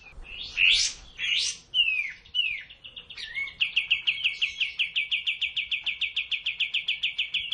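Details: Sooty-headed bulbul on a tutor recording for cage birds: loud rising and falling swept whistles, then a long fast train of evenly repeated high chip notes.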